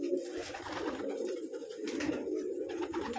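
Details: A dense chorus of colourful pet pigeons: continuous deep, throaty cooing from several birds at once, with steady hiss behind.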